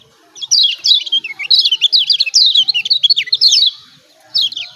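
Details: Lombok yellow white-eye 'ciak ciak' lure: a long burst of rapid high descending chirps lasting about three seconds, a pause, then a short final flurry.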